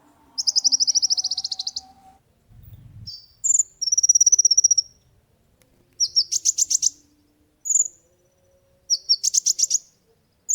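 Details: Olive-backed sunbird song used to train and lure other birds: repeated high trills of rapid ticking notes and brief whistled chirps, in bursts of one to two seconds with short gaps.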